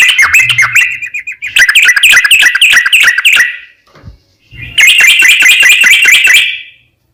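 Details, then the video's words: Sooty-headed bulbul in 'ropel panjang' mode, a long rapid song used as a lure for other bulbuls. Two dense streams of fast, bright repeated chirps split by a near-silent gap. "JADIKAN SUARA trucukan gacor ROPEL PANJANG pancingan trucukan agar bunyi burung trucuk gacor NYAUT"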